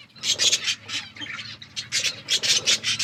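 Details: Several budgies feeding and playing, giving rapid scratchy chirps in short pulsing bursts, with a brief quieter gap before a dense run of high chatter.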